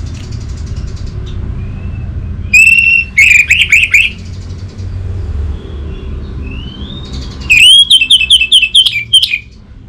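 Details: Orange-headed thrush, a cage bird in northern Bali, Indonesia, singing two loud bursts of whistled and rapidly trilled notes separated by a quiet pause with faint soft whistles and a steady low rumble of traffic.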